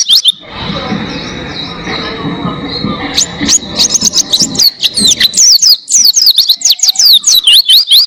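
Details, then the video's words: Oriental white-eye training song for cage birds: about three seconds of low rushing background noise, then a burst of fast, high, thin chirps and downslurred whistles that fills the rest of the recording. "Masteran Pleci Gacor Buka Paruh Durasi Panjang Suara Jernih Cocok Buat Masteran Burung Jawara"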